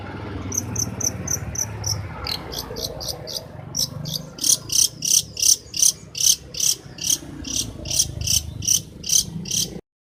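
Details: Prize-winning long-tailed shrike from Banyuwangi, recorded as tutoring material for songbirds. Sharp, high notes repeat in a rhythmic string that briefly breaks off, then resumes louder and steady over a faint background murmur.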